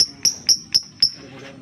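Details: Lovebird lure for stimulating other lovebirds to sing: five sharp, bright ticks with short ringing tails, evenly spaced about a quarter second apart.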